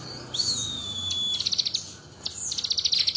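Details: Crested jay in full voice, imitating the bar-winged prinia: a thin, high, drawn-out whistle slides down, then bursts of fast, sharp, high chips follow. The chips break off briefly and start again in a second rapid series.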